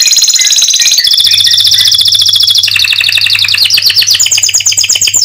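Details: Canary singing to encourage other canaries to sing on: dense high rolling trills changing type every second or so, ending in a fast descending and rising series of sharp whistled notes; faint low hum in background.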